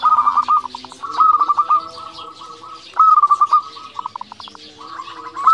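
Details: Zebra dove, local type, giving repeated cooing phrases, each a bright opening note running into rapid, evenly spaced soft pulses that fade out, about every two seconds.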